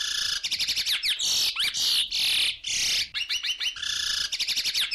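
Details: A chestnut-bellied seed finch (curió) sings quick, high whistled notes broken by long harsh, raspy R-style serrada, drawn from the throat, more demanding and harder to learn, typical of paracambi song, heard after a contrasting serrada mateira.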